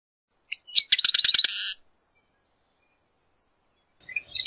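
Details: Marsh wren singing: a few sharp introductory ticks, then a rapid mechanical rattling trill of about a dozen buzzy notes lasting under a second, followed by silence and the start of another burst.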